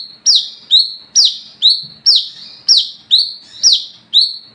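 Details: Wiceh (olive-backed sunbird) singing at night, meant to lure other sunbirds: nine evenly spaced high notes, each a steep downward slide ending in a level buzz, with a faint lower tick between.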